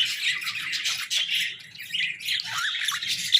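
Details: Morning chatter of pet budgies: overlapping high scratchy warbles and squawks, dipping briefly in loudness midway before rising again, with a few sharper falling notes near the end.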